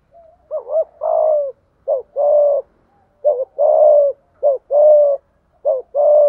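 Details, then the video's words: Rapid run of spotted dove coos in the 'thúc gù' manner, 'giọng thổ' voice: short hooked note then a long level hoot, the pair repeated about every 1.3 seconds, five times, low-pitched and mellow. "cu cườm gáy đủ bài giọng thổ"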